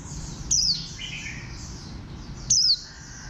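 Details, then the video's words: A warbling white-eye described as bantam-shaped gives two crisp chirps sliding down in pitch, two seconds apart. Faint thin twittering continues in the background. "Khuyên xanh dáng gà tre"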